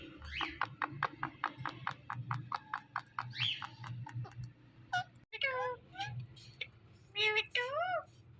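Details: Pet ringneck parrot talking, uttering a rapid string of short clicky syllables followed by several longer wavering, voice-like notes, with a low background hum throughout.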